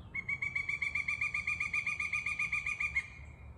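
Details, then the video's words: A red-headed woodpecker, shining in the sun in a tree outside, gives a call rather than pecking: a fast, even rattle of bright, slightly nasal notes, about eight per second for three seconds, over a low hum. "Woodpecker Call"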